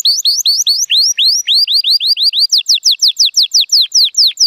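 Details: Male Timbrado Español canary, born 2018, scored 83 points, in training song on a sunny day: clear whistled upward-sweeping notes repeated about four to five per second, switching to quick downward-slurred whistles in the second half.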